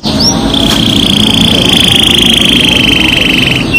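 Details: Canary lure song in rolling style: a short rising whistle, then one long, fast, steady-pitched rolling trill held for over three seconds, loud and unbroken.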